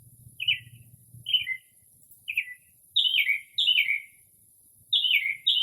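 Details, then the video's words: Northern mockingbird's midnight song in early spring, mimicking several birds, recorded in stillness; short fluttering phrases that grow into longer, louder descending notes, with a low hum at the start. "Northern Mockingbird Mimics Different Bird Calls"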